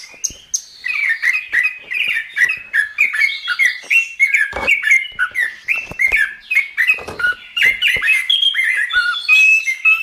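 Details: Chestnut-capped thrush masteran song: even, repeated downslurred whistles, roughly two per second, woven with sharp high chips, ending in sustained clear tones.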